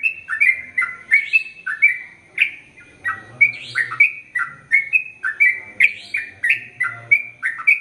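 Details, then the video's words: A gacor Sooty-headed bulbul singing ropel panjang: dense, chattering run of swooping whistled notes, some harsher and brighter, continuing without pause through the passage. "Trucukan Gacor ROPEL PANJANG"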